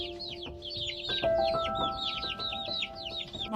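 A brood of chickens peeps steadily, each high call sliding downward, over sustained background music.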